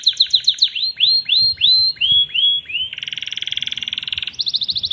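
A canary sings a series of falling whistled notes, then a rapid rolling trill and a higher, faster trill.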